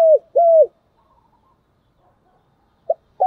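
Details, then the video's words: Decoy spotted dove calling to attract wild doves: two smooth, mellow coos that drop at the end, a silent gap, then the start of another phrase. "tiếng cu gáy thúc và gáy gọi căng đét hay nhất, và rất hiệu quả"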